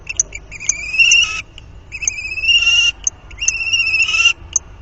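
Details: Common kestrel pair copulating at the nest on 30 March 2019, the fourth copulation seen there: three drawn-out, rising whining calls about a second each, with sharp clicks and faint background noise.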